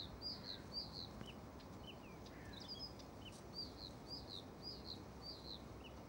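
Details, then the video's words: European stonechat calling outdoors: a steady series of thin, high, doubled whistles with short lower chirps in between, over a constant low background rumble. "ЧЕРНОГОЛОВЫЙ ЧЕКАН"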